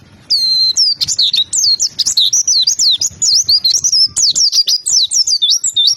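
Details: Loud, continuous white-eye song in a long birdkeeping track: rapid, high, sharply modulated chirps and twitters run together with barely a pause, bright and piercing, with light clicks in the background.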